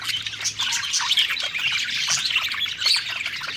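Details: Budgerigars eating and singing contentedly, a brief burst of dense chirping and scratchy warbles from many overlapping voices.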